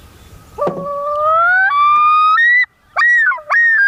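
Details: A common loon (Gavia immer) yodels: a long rising wail that breaks into repeated, swooping two-part phrases; male loons give such high calls as a warning to other loons.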